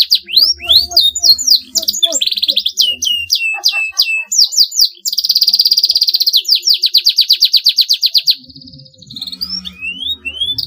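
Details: Long 'gacor' canary song said to make rivals join in: varied rapid chirps and whistled sweeps give way to a sustained high trill and fast repeated notes, fading into softer twitters with faint low background sounds.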